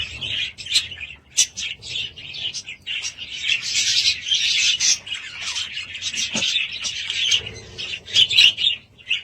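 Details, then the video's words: Budgies at home produce a steady scratchy, rasping warble mixed with sharp chirps, many notes overlapping. "Budgies sound"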